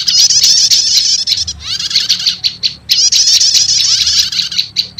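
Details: Lure recording mixing prenjak lumut and prenjak setater prinias, said to quickly attract wild birds: harsh, rapid high-pitched chattering in three long bursts separated by short pauses, over a faint low hum.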